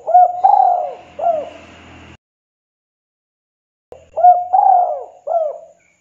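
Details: Tekukur, or spotted dove, in 'kuk 2' style calling a rival as a lure: two mellow three-note coo phrases separated by a long pause, with a faint hiss beneath the first phrase.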